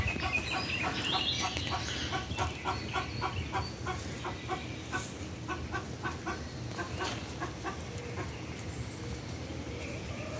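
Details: Cochin chickens kept as farm birds, giving a steady series of short repeated clucks, several per second, over a constant background hum.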